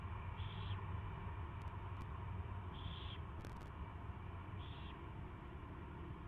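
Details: Owl during its first feeding on February 24, 2016, 2:15 PM; three brief breathy screeches spaced roughly two seconds apart, with a few sharp clicks and constant low background hum.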